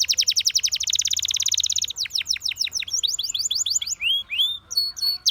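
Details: Singing canary delivering a dense rapid trill of high chirps for two seconds, followed by varied looping and sweeping whistled notes.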